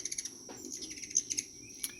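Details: Ruby-throated hummingbird gives thin, very high chips and short twitters, a quick run of ticks at first, then scattered squeaky notes.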